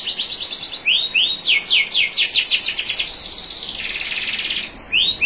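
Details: Canary song from a national champion training recording, over gently running water. Falling trills and upswept notes run into rapid repeated strokes, then a dense buzzy roll, ending with a couple of rising swoops.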